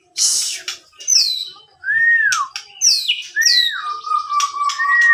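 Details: Murai batu, a white-rumped shama with a 27 cm tail in Sidoarjo, East Java, filmed by phone, sings rich, loud whistled phrases: falling slurs and high sweeps, ending in a long steady whistle.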